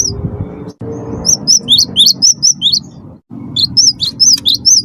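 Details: Cinereous tit of the wingko variety in chatty song for provoking other birds to sing: two lively runs of high, sharp notes, level tones alternating with dipping slurs about twice a second, a brief silence between, low rumble behind.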